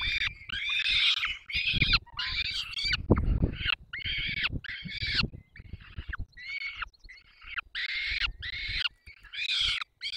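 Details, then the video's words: Chicks of peregrine falcons clamouring for food while the parents feed them at the nest on 3 May 2024 in Dolina Baryczy: choppy, grating screams in short bursts, with frequent thuds and rustling. "karmią pisklaki 3 05 2024 sokoły wędrowne"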